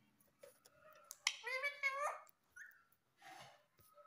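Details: Female pet Indian ringneck parakeet talking in Hindi, saying "mummy": one voiced, harmonic phrase of about a second with wavering pitch, then a short higher squeak and a brief breathy burst, in a quiet indoor room.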